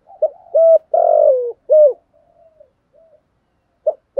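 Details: Spotted dove singing the "thúc" style with coos. Brief clipped hoots frame a long buzzy falling coo, followed by soft low murmurs and more short hoots near the end.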